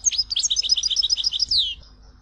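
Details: Tizi Ouzou European goldfinch song, a fast tinkling run of high, liquid twittered notes ending in a long downward slurred whistle, with a quiet low rumble underneath.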